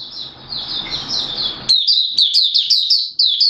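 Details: Malaysian oriental white-eye (mata puteh) in Singapore, warm humid day with sudden showers; a hissy muffled stretch of high warbling gives way to crisp, rapid, descending high chirps strung in a quick run.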